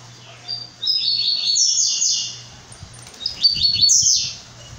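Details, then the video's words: A brown-plumaged blue-black grassquit sings long, buzzy, high sputtering phrases, two within five seconds, over a constant low humming tone. "Tiziu pardo"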